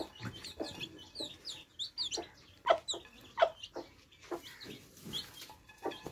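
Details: Thirsty baby chicks drinking fresh water give quick high downslurred peeps early on, then a run of strong rhythmic taps at roughly regular intervals with fainter peeping behind.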